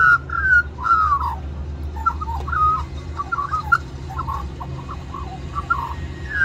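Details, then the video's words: Young magpie begging with song for mango at Cirillo Reserve, Middleton Grange, New South Wales, Australia; opens with clear descending whistled notes, then softer broken warbles and gurgles, low rumble underneath. "Magpie Sings For More Mango"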